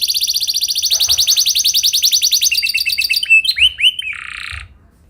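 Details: Canary song played as a training lure to get other canaries singing: fast rapid trills of repeated notes, then downward-sweeping whistled slurs and a short buzzy note near the end.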